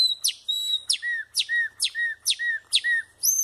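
Chopi blackbird repeating a quick phrase about twice a second: a sharp, high downward sweep followed by a short, slurred lower whistle, ending on a ringing higher note.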